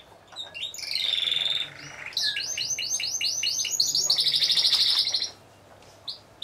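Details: Timbrado Español singing canaries entered as a team of four in category C1 at a song competition and show, 25 November 2015. Fast metallic trills and rolling, repeated note series, with a bright sustained high trill near the end before silence.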